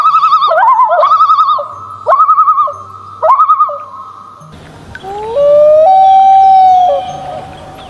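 A common loon gives bursts of rapid, quavering tremolo, then a long, mournful wail that rises and holds steady.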